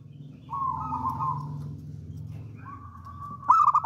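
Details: Zebra dove of local wild stock, bold and singing often, kept as a lure for trapping: a long smooth low coo, a quieter drawn-out note, then a sharp rapid stuttered trill at the end.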